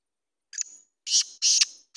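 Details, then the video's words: Black francolin, locally called kala teetar, giving a harsh, buzzy call of loud rasping bursts after a short thin note, about three bursts in two seconds. "Kala teetar ki awaz"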